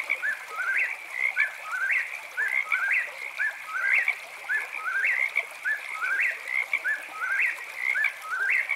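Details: Eastern whip-poor-will singing at night, a clear rising three-part whistled phrase repeated rapidly, about every three-quarters of a second, over a steady high-pitched chorus of calling frogs.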